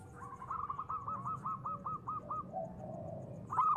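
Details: Local zebra dove, or perkutut, in a lure recording meant to stir other doves into calling: a quick string of repeated, rolling coo notes, then a softer trailing coo and a sharper final burst.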